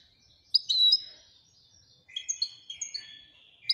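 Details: Royal European goldfinch uttering a few separate high, slightly nasal chirps and short slurred notes spaced apart, quieter and sparser than full twittering song, over faint low background noise.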